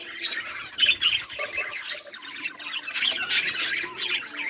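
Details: Pet budgerigars chattering together: dense, rapid high-pitched chirps and squawky twitters overlapping continuously, with brief louder squeaks standing out.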